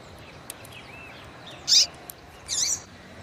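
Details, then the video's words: A female Double-collared Seedeater calls to rouse males with two high, buzzy chip notes, one sharp and one softer, amid faint fainter chirps and a constant background hiss. "FÊMEA DE COLEIRO CHAMANDO MUITO QUENTE FOGOSA E PIANDO"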